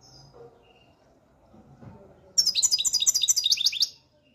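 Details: European goldfinch from the Algeria–Morocco region in full singing form, a quiet pause and then a rapid burst of high, tinkling, twittering notes repeated in quick succession for about one and a half seconds.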